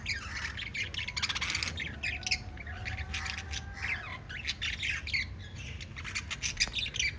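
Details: Five budgerigars kept as pets give lively continuous twittering, with rapid buzzy chirp runs and sharp squeaks that rise and fall in loudness.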